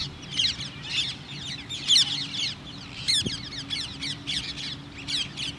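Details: Common myna, male and female, giving loud harsh chattering calls in short clustered bursts of rapid notes, repeated roughly every second, with quieter scratchy notes between the bursts and a faint low hum beneath.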